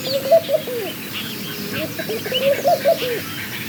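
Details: Laughing dove, a small long-tailed dove of gardens and plantations, giving soft low cooing notes in short bubbling phrases, two clusters of rapid coos about two seconds apart, over a faint background of other birds' chirps.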